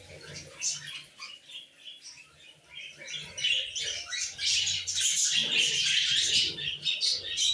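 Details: Male budgerigar kept as a pet, sitting on a bathroom shower and flirting: dense high chattering warble with rapid scratchy notes that swells louder and more continuous in the second half, with faint low room rumble.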